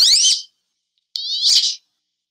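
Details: Wood duck (Aix sponsa) call: two high, thin squealing notes about a second apart, the second longer and slightly rising; no other sounds.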